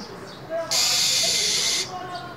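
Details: A female minivet hisses in the winter cold to stimulate a male: a single loud, rasping, noise-like rush lasting just over a second, flanked by faint soft chirps.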